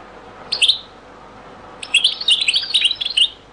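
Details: European goldfinch singing the zaboka style of Beni Messous 'les avocats', very old recording: one sharp high chirp, a silent gap, then a rapid, sparkling sequence of twittered notes lasting over a second.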